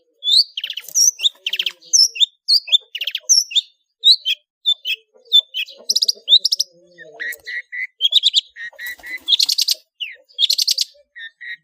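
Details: Long-tailed shrike in ngeplong full isian song for training cage birds: a lively medley of quick twitters, sharp chips and slurred whistles, buzzy trills, and lower repeated notes in steady groups.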